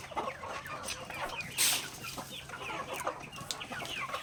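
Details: Native backyard chickens pecking grains at daily feeding time give short, scattered clucks and chirpy notes that overlap. Soft pecking and scratching can be heard, along with one brief louder burst of noise.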